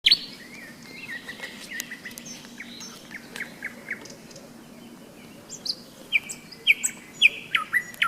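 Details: Nightingale singing on a May day in thunderstorm season beside the Seversky Donets, heard at a hiking rest stop: varied whistled phrases and short sharp notes, quiet then louder bursts near the end, over a low steady croaking of frogs.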